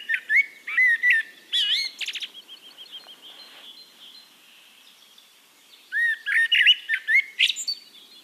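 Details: Eurasian blackbird singing in Castricum, the Netherlands: rich fluted, warbling phrases with higher twittering flourishes, a quieter pause of about two seconds, then another burst of mellow whistled notes ending in squeaky trills.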